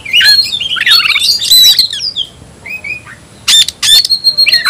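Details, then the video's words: Kacer, or white-rumped shama, calling an opponent to fight: a fast burst of tangled whistles and chatter, a pause with soft warbles, then sharp harsh notes and a high whistle. "Teriakan KACER panggil lawan tarung"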